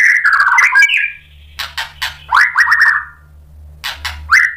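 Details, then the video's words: White-rumped shama song played to provoke a response: loud descending trilled phrases separated by short gaps, over a steady low hum in the background. "SUARA MURAI BATU biar EMOSI NYAUT jadi GACOR BONGKAR MATERI ISIAN | PANCINGAN MURAI"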